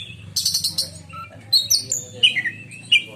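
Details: Indonesian caged kacer, a black-and-white oriental magpie-robin, in piercing 'menyambar' song: an opening burst of high hissy chatter followed by scattered sharp whistles and quick slurred notes over a steady low background hum.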